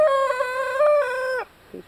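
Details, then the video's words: Giant Dark Brahma rooster, six months old and weighing 8 lbs, crowing: one steady, strongly harmonic crow held level for about 1.4 seconds with a slight lift midway, then a brief soft note, as its owner remarks it bit her that morning. "Giant Dark Brahma Rooster crowing"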